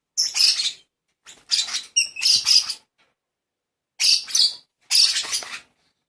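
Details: Young lovebird being hand-fed, giving grating, hissy begging bursts in two clusters, the first of three calls, the second of two, after a clear pause.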